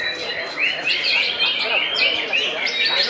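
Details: Greater green leafbird singing at a prestigious bird-song contest event: a bright, high series of quick rising whistled slurs, repeated about three times a second, over a dense chorus of other birds and murmuring people.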